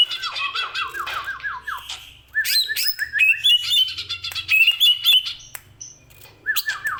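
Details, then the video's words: Caged greater green leafbird singing: a fast series of descending slurred whistles, then dense chatter and bright high warbled notes, a brief lull, and the descending slurred series again at the end. "CUCAK IJO BUNYI SUPER HEBAT"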